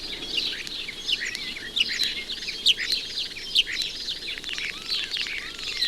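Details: A male common starling sings a busy, rambling, high-pitched medley of squeaky whistles, clicks, sliding notes and rattles with mimicked calls woven in, rattling his bill on a house chimney pot in suburban gardens.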